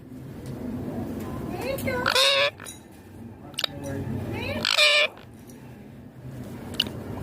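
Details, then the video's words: Pet green Indian ringneck parakeet talking, two loud speech-like phrases with rich harmonics about three seconds apart, separated by quieter low room noise. "Indian ringneck green parrot amazing talking"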